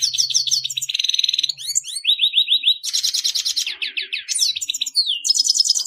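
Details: Grey-headed goldfinch, a finch, singing a continuous rapid stream of twittering, tinkling notes, buzzy trills and slurred chirps, many notes per second with hardly any break.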